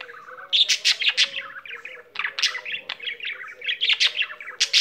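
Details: Budgie kept as a pet singing eagerly, a lively mix of bright chirps, squeaks and rasping notes delivered in quick overlapping bursts.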